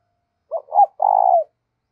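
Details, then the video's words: Spotted dove challenge call used to provoke decoy birds into calling all day: a quick double coo leading into a long, rough, level coo that falls away at the close. "Tiếng chim cu gáy thúc đấu rất căng, mở lên bổi và mồi nghe gáy theo cả ngày"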